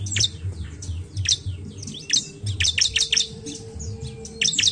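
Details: Bar-winged prinia (Prinia familiaris) song used as a lure to get reluctant prinias singing: sharp, high chirps and quick descending squeaky notes in rapid bursts, with a low background hum.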